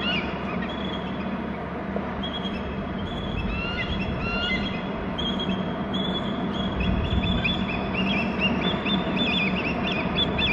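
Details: Pair of bald eagles calling at their nest territory on Hornby Island, alerting and mating: thin, high chittering notes in quick repeated series build through the recording, over loud steady low rumble and wind-like noise from a nest camera.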